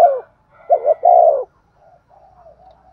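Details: Spotted dove singing in the Thúc Gù style, used as a decoy to lure wild doves. A soft hollow coo phrase: two short low notes, then a longer falling coo, with faint quieter cooing afterward.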